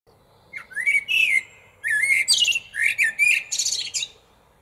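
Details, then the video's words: Common blackbird singing at lunchtime from a small tree in a parking lot, very close by: mellow fluting phrases around a low whistle, each ending in a high, squeaky twittering flourish, two phrases separated by a short pause. "MERLE NOIR - The best bird song - Beau chant d'oiseau"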